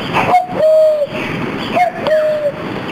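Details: Common cuckoo in treetops by French canals, agitated after a human cupped-hand imitation, gives its two-note 'cuck-oo' twice, a higher note falling to a longer lower one, against steady wind or engine rumble, after rain.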